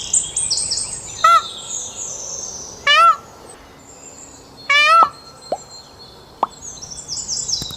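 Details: An Indian peafowl gives three loud, nasal, wailing calls about two seconds apart at Dekhatbhuli, Kanchanpur, far west Nepal, while smaller birds chirp high and thin in the background.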